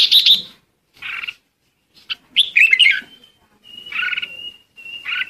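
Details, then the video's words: Red-whiskered bulbul flock call: a quick scratchy burst, then scattered warbled notes and a few thin drawn-out whistles between fuzzier calls. "Chim chào mào gọi đàn"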